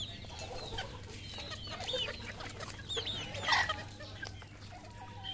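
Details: Red junglefowl on a farm in Cambodia cluck in short, scattered bursts, with one louder squawk near the middle, over a low steady hum and faint high chirps.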